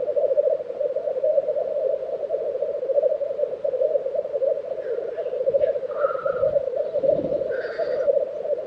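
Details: Black grouse lek recorded in Tiveden, Sweden, in April 2023, with a continuous, pulsing low bubbling chorus and a few brief hissing calls and muffled low thumps late in the stretch.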